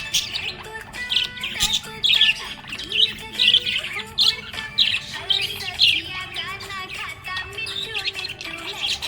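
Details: Cheerful pet budgie giving lively chirps, short squawks and chattering warbles in clustered bursts, while a song with sustained melodic notes plays prominently beneath.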